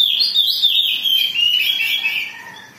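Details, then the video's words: A highly agitated, vocal Oriental magpie-robin pours out a fast, unbroken run of high, sweet whistles and slurred warbles that wavers up and down, then fades away. "Pancingan Kacer Gacor || Suara Kacer Emosi"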